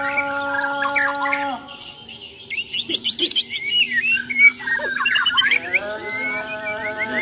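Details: Fighting song of a Borneo white-rumped shama. A steady droning hum gives way to quick, clipped chirps about three a second, then rich slurred whistles and warbles as the hum returns.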